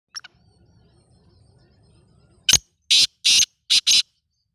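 A black francolin gives a loud, harsh series of five grating, broadband notes in quick, uneven succession, after two faint thin notes and a low background rumble.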